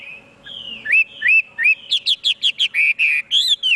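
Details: Chinese hwamei song: clear whistled notes near the upper-middle range, first slurred and rising, then a quick run of short repeated phrases about six per second, ending in sweeping whistles; faint steady hum behind.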